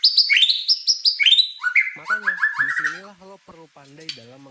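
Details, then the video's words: Prolific singing white-rumped shama: a quick run of bright, rising whistled notes repeated several times, then lower chattering phrases, with a man's Indonesian speech joining in the second half. "Suara Burung Murai Batu Gacor"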